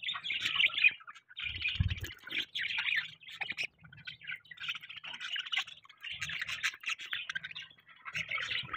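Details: Budgerigars chirping in the morning, pet birds giving dense bursts of buzzy, warbling chatter in overlapping phrases, with brief low thumps between bursts.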